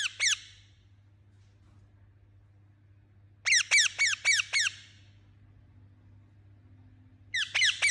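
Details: Angry chirping parrot calling in short bursts: a pair of squeaky notes, a long silence, a rapid volley of five harsh downslurred chirps, then another burst at the end over a low hum.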